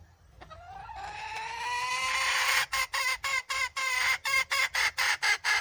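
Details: Wild red junglefowl hen giving a long, nasal, slowly rising note for about two seconds, followed by a rapid run of short, clipped clucks, roughly two per second, loud and close.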